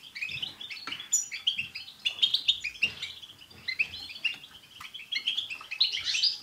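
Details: A group of European goldfinches twittering together, a chorus with tsts calls meant to get a pet goldfinch singing; busy, overlapping high chirps and liquid trills run continuously with brief pauses.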